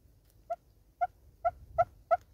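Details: Southern red-billed hornbill singing in South Africa: five single hollow clucks, evenly spaced about half a second apart, growing slightly louder toward the end, over a soft low background rumble.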